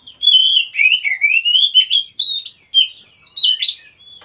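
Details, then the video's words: Wild Oriental magpie-robin in continuous loud song: long sliding whistles followed by rapid varied phrases, repeated without pause for about four seconds. "KACER MACET TOTAL dan SETRES pasti akan PULIH dan NYAUT dengan dimasteri KACER ALAM ini"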